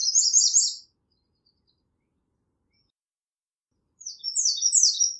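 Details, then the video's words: American redstart song, with one high, lisping phrase ending the opening moment and another starting after about three seconds of quiet, both made of fast repeated thin notes. "American Redstart Singing - Candelita Norteña Cantando"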